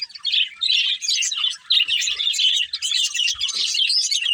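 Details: Budgerigar pair, a breeding couple, chattering in quick bursts of high scratchy chirps and warbled twitters, with short pauses between the bursts.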